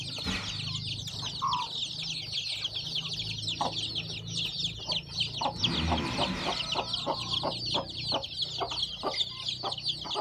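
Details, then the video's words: On a farm, freshly hatched chicks from a hen's eggs keep up a busy stream of high chirps. Scattered clicks and a brief rustling burst come midway, over a low hum. "My new born chick hatching at my farm lovely/hen hatching egg to chicks"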